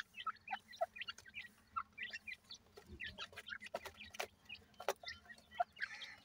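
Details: Black francolin chicks being fed, short high peeping notes scattered irregularly with a few louder clicks and knocks, over a faint low hum.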